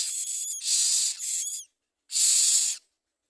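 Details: Common myna bringing food to its young: clipped hisses overlaid with short whistled slurs, then a pause and one long steady hiss.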